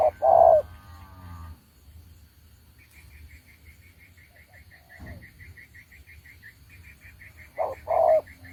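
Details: Decoy spotted dove from Đồng Ngô, used for trapping, giving a short-then-long coo at the start and again at the end. Between them, a fast, high, evenly pulsed chirping runs for several seconds.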